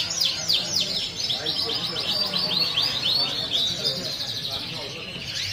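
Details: Yellow frill-back Parisian canary from a jumbo-sized breeding pair, singing a fast continuous series of high, sweeping chirped notes that run on for several seconds, slowly fading toward the end.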